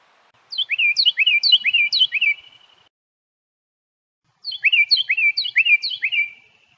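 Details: Carolina Wren at a state park sings two loud bursts of its rolling "tea-kettle" song, each about two seconds of quickly repeated bright phrases, separated by a pause.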